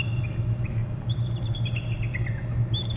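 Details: On the Hornby Island nest territory, a bald eagle gives scattered high, squeaky call notes that rise into a short chattering run, with a strong, constant low hum underneath.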